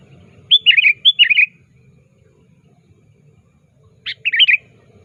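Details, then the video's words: An active sooty-headed bulbul calls out a rival, used as a decoy for bird trapping. A doubled burst of lively chirping notes comes first, then a single bright phrase after a pause of about two and a half seconds. Low background rumble. "Suara Burung Kutilang Gacor Aktif Memanggil Lawan"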